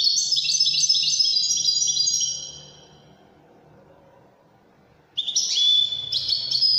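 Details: A Moroccan European goldfinch (Carduelis carduelis) of the "Ouidane" song style sings a rapid, tinkling run of high twittering and liquid notes, pauses about three seconds, then bursts into song again.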